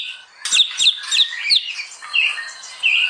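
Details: White-rumped shama (murai batu) in full, lively song, used as a master song for training birds: a quick run of sharp, high chirps and clicks, then clear whistled phrases rising and falling.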